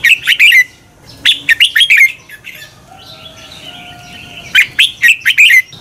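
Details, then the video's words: Red-whiskered bulbul song used to train and stimulate birds to sing in competition: loud bursts of four or five quick, warbled whistled notes, repeated after pauses, with faint lower whistles in between. "Luyện chào mào hót sáng Giọng xoắn kép hay KÍCH CHIM CĂNG HÓT ĐẤU, luyện chào mào căng lửa"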